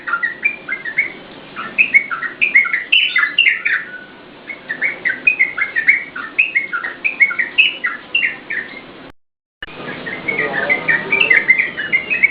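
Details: Yellow-vented bulbul singing for cage-bird luring and tutoring: bursts of quick bubbling warbled notes in rhythmic runs, a brief silent gap near the end, then the chatter resumes.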